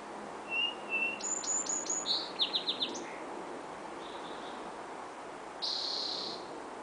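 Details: Several birds singing: a short high whistle, a quick series of sharp chirps, a fast falling trill of four notes, then a brief buzzy note, over a steady hiss of background noise.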